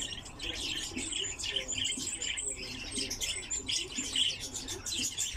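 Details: Caged lesser short-toed lark, seldom kept by bird keepers, pouring out a dense, rapid stream of high chirps, trills and short whistles with no pauses, over a faint low background murmur.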